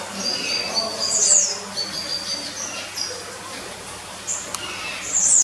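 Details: A free-flying red siskin inside an aquarium building at Zoo Zürich, Switzerland, on 29 March 2018, sings a high, thin twittering run of quick chirps and short buzzy trills, rising to sharper bursts near the start and end.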